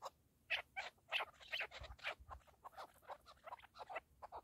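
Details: Harsh, buzzy partridge notes in short bursts, some grouped in quick pairs, loud at first and then a little softer, with a faint low thump midway.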